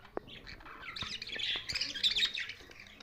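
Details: Budgerigars twittering in a short burst of high, buzzy, warbling chirps that grows busier after the first second.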